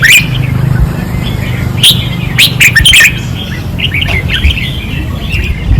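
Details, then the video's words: Caged red-whiskered bulbuls competing on a practice perch in Pattani, 2024: scattered bright whistled notes and short warbled phrases over a steady low-pitched hum. "เสียงนกกรงหัวจุก ราวซ้อม ร้องอย่างดุเดือด"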